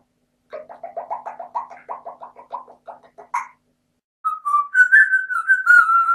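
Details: A female pet grey parrot at breakfast rattles off about a dozen quick, chirpy notes, then holds a long, slightly wavering whistle over soft clicks and taps.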